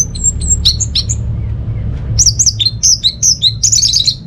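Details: Orange-headed thrush singing to draw quiet birds into song: thin high whistles, then a fast series of sharp slurred chirps repeated several times, over faint low hum.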